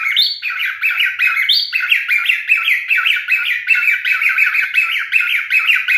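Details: Male cockatiel parrot, a pet, singing: a fast run of whistled, chirping notes that slide up and down, about two to three per second, with occasional higher rising whistles; no other sounds.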